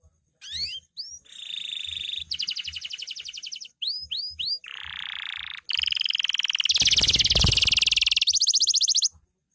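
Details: Canary of the loper kind singing energetically after dark, stringing upslurred whistles, buzzy trills and a harsh broadband rattling passage into one continuous varied phrase, loud throughout.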